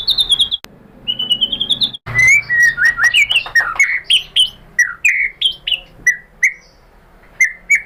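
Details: Lure song of a white-rumped shama meant to set other shamas singing: a high wavering whistle, a brief gap, then a lively run of bright, falling whistled notes spaced about half a second apart.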